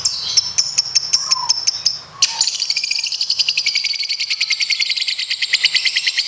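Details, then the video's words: Competition lovebird performing its long trill, known locally as ngekek panjang: high chirps spaced steadily, then a fast, buzzy, rattling trill of rapid pulses that keeps going for several seconds without a break. "Masteran Loveberd Ngekek panjang"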